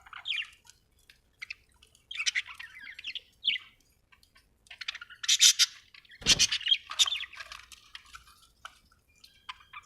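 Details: Australian budgie chattering with bursts of high scratchy chirps and squeaky warbles, separated by short silences, plus one dull thump midway.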